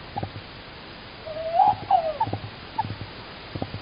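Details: Tawny owl pair in Estonia, 16 March 2019, the male calling outside and the female answering; a faint, short, wavering tonal hoot sits in the middle among soft knocking and tapping sounds.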